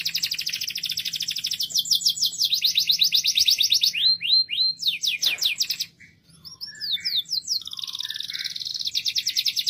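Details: Loudly singing canary delivers a long series of varied rapid trills and rising sweeps, with a brief pause midway before the trilling resumes.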